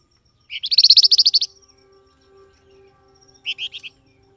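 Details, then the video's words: Grey-headed canary-flycatcher, called flamboyan, giving a call to make wild birds respond: one fast, loud run of about a dozen high chirps, then a soft hum and a short trio of chirps. "SUARA BURUNG FLAMBOYAN, DIJAMIN LANGSUNG NYAUT BUNYI"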